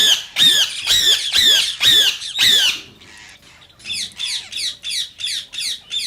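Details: Rose-ringed parakeet, also called the Indian ringneck, calling to stimulate other parakeets to sing and mate: harsh, shrill squawks repeated about twice a second, a brief noisy pause near the middle, then a further run of quicker screeches.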